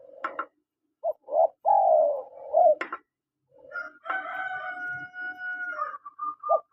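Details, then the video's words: Male and female spotted doves: a quick series of coos ending in a long falling coo and a sharp click. A loud, drawn-out rooster crow then follows and dominates the second half. "SUARA PANGGILAN TEKUKUR JANTAN DAN TEKUKUR BETINA"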